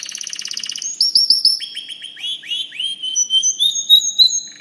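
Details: A white canary opens with a fast, buzzy, high rattle, then sings repeated upslurred chirps and clear, sliding high whistles in a lively, varied phrase.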